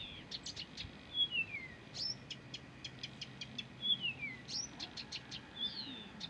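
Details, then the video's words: A Blyth's reed warbler that keeps on singing, repeating a pattern of dry ticks and clicks broken by descending whistled slurs, two similar phrases a few seconds apart, over soft low noise. "САДОВАЯ КАМЫШЕВКА НЕ В СИЛАХ ПОМОЛЧАТЬ!"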